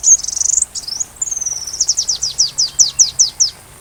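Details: Sunbird song used to tutor a white-rumped shama: opens with a dense high buzzy trill, then a long thin slide, then a quickening run of sharp falling chips.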